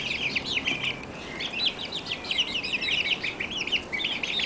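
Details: A group of month-old Barred Plymouth Rock chicks chirping almost without pause. Many overlapping high, thin cheeps blend into a busy, continuous twittering.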